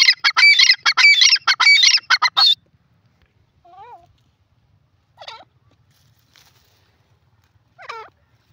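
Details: Grey francolin (jungli teetar) in a jungle giving a loud burst of rapid, harsh, ringing notes for about two seconds, then quiet with a few faint, thin, wavering notes further off.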